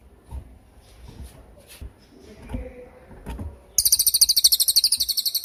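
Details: Cililin training song for cage songbirds, suited to young or moulting birds: soft knocks and background noise for nearly four seconds, then a loud, quick train of high, piercing chirps.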